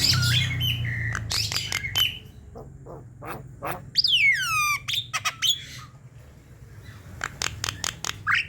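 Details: Javan myna in full song, played as a lure to get lazy birds singing: harsh broadband bursts and chatters, then a long descending whistle and a run of sharp clicks, over a steady low hum.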